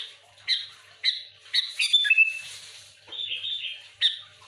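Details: Sooty-headed bulbul, a chatty singer pressing a rival and stirring other bulbuls, giving short bubbly whistled phrases about every half second, then a longer warbling run and a slurred rising-falling phrase.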